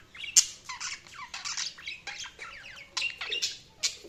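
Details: Busy budgie chatter, dense overlapping scratchy chirps, squeaky whistles and harsh squawks packed closely together with barely a pause.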